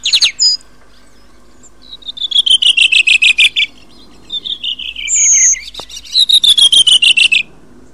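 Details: Redwing (Turdus iliacus) song: quick runs of clear, slightly rasping notes sliding downward, given three times, with a brief high whistle and a short twitter between them.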